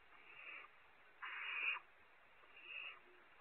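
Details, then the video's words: Barn owl owlets squabbling over a prey item at a California ranch nest: three rasping hissy screeches, the middle one loudest and longest, the others fainter. "Competition for prey, owlet #1 keeps it"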